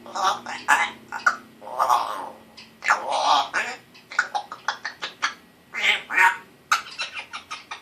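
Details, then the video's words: A one-year-old pet male African grey parrot, recently started talking with a still-scratchy voice; a busy stream of mimicked words interspersed with repeated sputtering raspberry bursts indoors. "Talking African Gray Parrot"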